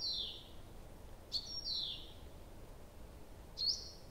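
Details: Nocturnal nightingale song, Abramtsevo, early June 2021, recording started at 23:00: two clear high whistles slurring downward, each introduced by a sharp click, then a lone click-and-whistle after a pause.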